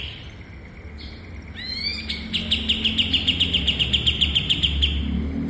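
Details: Bulbul singing as a master recording for training cage birds: a few upslurred notes, then a fast steady series of bright clipped chirps, about three or four per second. Low rumbling noise underneath.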